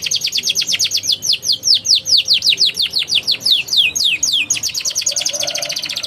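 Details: Canary song used to prompt young canaries to sing: continuous run of loud descending whistled notes, speeding into a rapid high chatter at the end.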